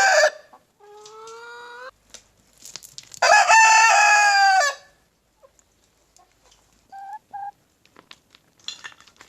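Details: Leghorn rooster: a soft drawn-out note, then a loud harmonic crow lasting about one and a half seconds, followed by short clucking notes and faint scattered sounds.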